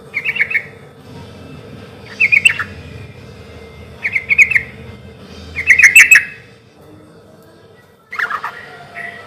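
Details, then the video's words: Sooty-headed bulbul's loud, unhurried song used as a lure: a run of brief bubbly phrases about every two seconds, quieter at first, then a louder final burst over a low background hum. "trucukan gacor suara keras irama santai sampai teler mantab buat pancingan trucuk agar cepat nyaut"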